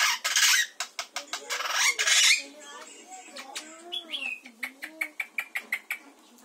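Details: Long-tailed glossy starling (Lamprotornis caudatus), calls.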